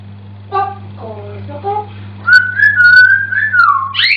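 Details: Pet African Grey Parrot singing indoors, mimicking human words: a few short harmonic voice-like syllables, then a sustained wavering whistled tune that rises sharply at the end; steady low hum underneath.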